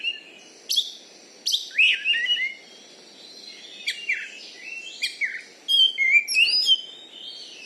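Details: Oriental magpie-robin kept as a champion contest bird in Bengkulu, Indonesia, known for its loud voice: sharp chirps and short downward-slurred whistles in bursts, then a quick run of bright looping phrases near the end.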